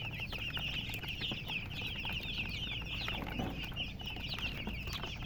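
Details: Chicks chirping together, a dense unbroken stream of high peeping notes from a group of young chickens over low background hum.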